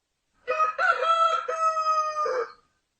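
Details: A single rooster crow about two seconds long, lower and mellower, with a stuttering start, an even sustained middle and a dropping final syllable.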